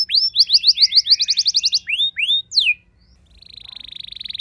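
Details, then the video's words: Domestic canary, a reluctant singer, replying to another bird: a run of rapid rising chirps and a few long falling swoops, a short silence, then a steady buzzy high trill. "Seketika Respon Kenari Rumahan Yang Kurang Gacor Langsung Nyaut Bisa Ngeroll Panjang"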